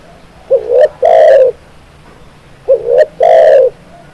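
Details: Two cooing phrases from a spotted dove: a brief upslurred double note, then a long, husky, slightly falling coo, with a quiet pause between them.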